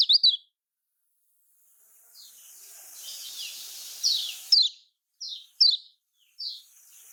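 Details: Lemon-bellied white-eye (kecial kuning), Lombok type, played as a lure to make quiet birds sing: separated sharp, high, falling chirps, with a stretch of hissing background between groups of notes.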